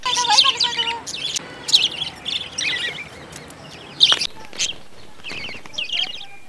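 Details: Budgerigars in a breeding colony give bursts of scratchy, warbling chirps in short clusters separated by pauses, with faint background chatter.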